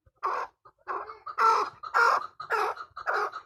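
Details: Hybrid chukar uttering six or seven slower, harsh clucking notes, each short and slightly rising, spaced roughly half a second apart, with a few faint clicks between them.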